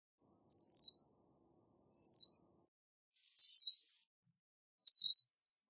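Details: Black phoebe repeating high, sharp chirps roughly every one and a half seconds, the last one fuller and buzzier, with no other sounds.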